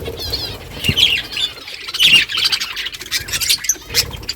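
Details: Morning flock of budgies calling back and forth: lively overlapping squawks and bubbly warbled chirps in short bursts, with soft background noise.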